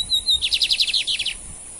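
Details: Lined seedeater male (bigodinho) in a singing duel between two males in Brazil: brief high whistle followed by a loud, fast sequence of buzzy chirping notes, ending abruptly.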